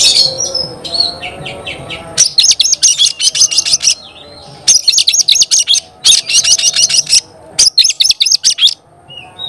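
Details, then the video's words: Gacor Oriental magpie-robin song said to provoke other magpie-robins. Softer varied notes come first, then loud bursts of fast, high, evenly repeated chirps about a second or more long, with brief gaps. "Kacer gacor bikin kacer ngobra KONSLET"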